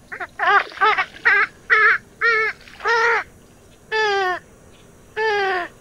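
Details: Purple swamphen giving loud, nasal, harmonic calls. A quick run of short squawks comes first, then longer drawn-out wailing notes about a second apart, with quiet gaps between.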